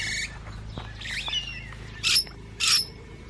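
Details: Musk lorikeets while feeding make a shrill screech, then thin twittering chirps, then two loud harsh screeches about half a second apart, over a faint low hum.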